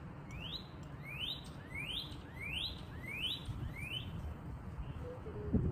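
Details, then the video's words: Backyard northern cardinal repeating six clear rising slurred whistles, each sweeping sharply upward, evenly spaced about every two-thirds of a second, with steady low background rumble. "Northern Cardinal Sounds"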